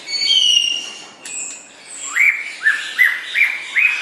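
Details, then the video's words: White-rumped shama singing for songbird training: clear drawn-out whistles, then a series of five short rising whistled notes repeated about every half second. "Kicau Burung Murai Batu Joss Buat Masteran"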